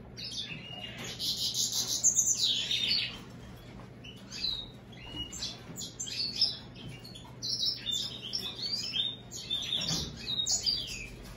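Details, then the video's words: Hybrid finch, American goldfinch with European greenfinch, singing long bursts of fast high twittering and buzzy trills, broken by short gaps and scattered sharp chirps, over a steady low hum. "هجين الحسون الامريكي مع الخضري"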